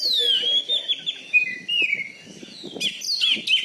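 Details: Oriental magpie-robin kept as a contest bird in Bengkulu, Indonesia: a long descending whistle flows into wavering notes, then ends in a cluster of sharp high chirps, with faint background chatter.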